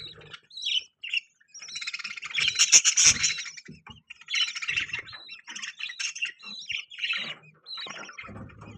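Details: Pet budgerigars chirping together, with baby budgies present; dense warbling chatter of rapid high chirps and squawky notes, loudest in the middle, with short pauses between bursts.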